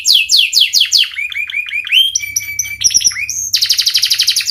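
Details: Panda canary singing vigorously: rapid descending high whistled notes, then quick chattering trills and a steady flat whistle, ending in a fast, bright rolling trill repeated about eight times a second; a faint low hum underneath.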